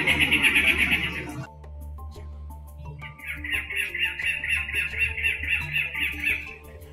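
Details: Cactus wren, a fiercely territorial desert bird, giving harsh, raspy chattering runs of rapid, evenly repeated notes like a sputtering engine, over soft background music.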